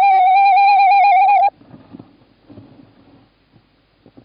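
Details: Tawny owl male calling near a nest box holding the female, Estonia, 11 March 2017: one steady, wavering mid-pitched call lasting about a second and a half, followed by soft rustling and handling noise.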